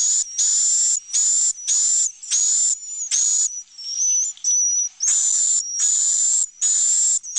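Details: Swiftlet roosting call, played inside swiftlet house roosting rooms where birds sleep, nest and lay eggs, meant to sound like a nearby flock of chicks and adults: shrill, hissing high chirps in bursts under a thin steady whistle, with a brief quieter gap midway.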